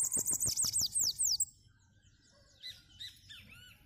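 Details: Bananaquit singing heavily in the "cangaceiro" song style: a fast run of very high, sharply descending sibilant notes, about seven in a row, with low thumps under them, then softer scattered chirps and slurred whistles.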